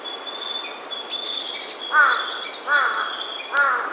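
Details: Wild birds in old-growth forest on Ujina Island, Hiroshima, Japan: three loud harsh cawing calls spaced about a second apart, over high twittering warbled phrases from other birds and a steady thin high tone.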